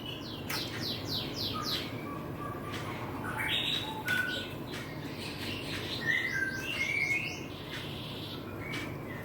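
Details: Young white-rumped shama, 25 days after hatching on 30 March 2024, gives bursts of high, falling squeaks interspersed with short clear whistled notes, irregular and fairly loud, against constant low hum and noise.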